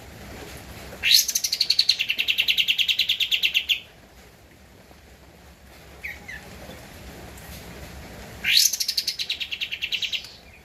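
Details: Javan white-eye recorded as a training master for caged birds: two loud, rapid, very high rattling trills, each starting with a sharp rising note and holding steady for several seconds, with quiet gaps between them.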